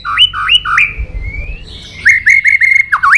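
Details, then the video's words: White-rumped shama singing a fighting song to rouse other birds: repeated rising two-note whistles, a drawn-out upslurred whistle, then a quick series of clear whistled notes ending in a sharp dip; faint low rumble behind. "Luyện giọng chòe Lửa hót đấu"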